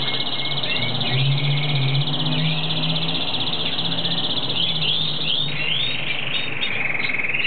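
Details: Argentine hooded siskin (Carduelis magellanica) singing in breeding season: rapid high twittering with short rising and falling notes, partly faint, over a steady low hum and background noise.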